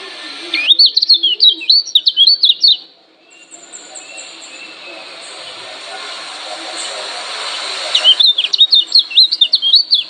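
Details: Lombok yellow white-eye (kecial kuning) giving a challenging call of rapid, high, sharp chirping phrases with quick up-and-down notes, pausing mid-clip before resuming; faint high hiss fills the gap.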